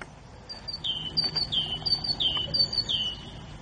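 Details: Grey bulbul singing: a high, clear whistle that slides down and levels off, preceded by short thin notes, repeated four times at an even pace over steady background hiss.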